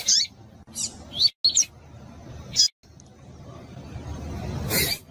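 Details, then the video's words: Female double-collared seedeater of the pure tui tui type calling to excite and warm up males before song tournaments. Brief high thin chirps come singly and in pairs with gaps, over faint low background hiss. "Coleiro tui tui Puro com fêmea de coleiro Para Esquentar coleiro tui tui"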